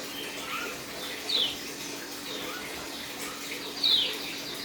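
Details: Captive white-eye of the Dakun type, on day three of dew conditioning, starting its 'ngeriwik' chirping and wing-flapping: two bright, high, downward chirps, with faint lower twitters between them, amid a continuous hissing noise.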